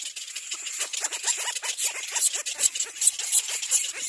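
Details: Little black cormorant chicks squeal at the nest as an adult comes to feed them: a dense, overlapping chorus of short, high squeaky notes, several each second, with a hissy wash behind them.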